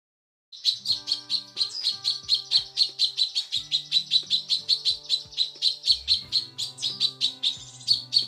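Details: Female cucak kinoi calling the male, used as a training recording for songbirds: high, sharp chirps repeated rapidly about once a second over several seconds, with faint low hum beneath.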